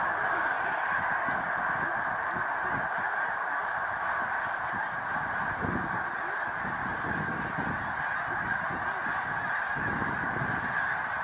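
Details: Continuous clamour from large Snow Goose flocks at a spring migration rest stop, Cayuga Lake, New York, 20 March 2021. Overlapping high honks blend together, with low rumbling gusts and occasional thumps beneath.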